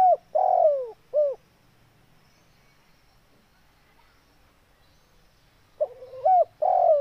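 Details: Spotted dove, known locally as tekukur, giving low hollow coos in short groups of two or three, separated by a long quiet gap.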